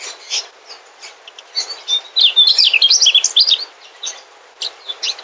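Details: Migrant mugimaki flycatcher delivering a fast, high, twittering song burst of slurred whistled notes in the middle, with softer chirps before and after.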